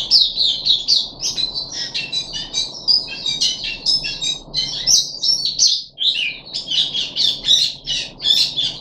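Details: Puff-backed bulbul in captivity, day three of a deworming course, 14 July 2021, gives an energetic string of sharp chirps and whistled trills, one short pause midway, otherwise continuous.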